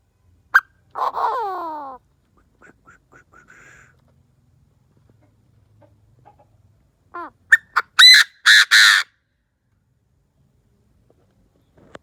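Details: Decoy Chinese francolin calling to lure wild birds: an early harsh note and a drawn-out falling harmonic cry, soft scattered ticks, then a burst of sharp clipped notes ending in two loud buzzy blasts.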